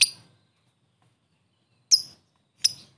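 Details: Lovebird kept as a fighter bird, used as a lure to provoke a quick response; three sharp, high chirps spaced about a second apart, with silence between.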